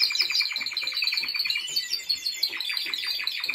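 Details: Timbrado Español canary in training during 2023, delivering a fast metallic trill of closely repeated notes, bright and steady, with layered rolling phrases.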